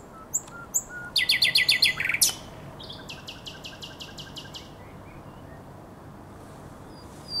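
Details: Common nightingale, Żerań Canal, night of 23/24 April 2022: a few high chirps, then a loud rapid rattle of repeated notes and a second softer rattle, followed by near silence.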